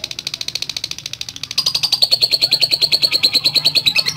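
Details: Lovebird 'ngekek' trill: a fast, even chatter of high pulses that becomes louder and sharper halfway through, continuing without pause, over a faint low hum.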